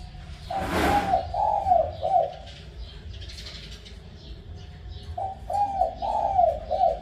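A spotted dove gives soft, hollow coo phrases, each a quick run of rounded notes, repeated twice.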